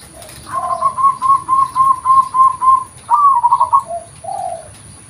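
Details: Local zebra dove, natural voice for lure use: a fast run of about seven even, purring coo notes, then a higher rolling trill and two soft lower closing notes.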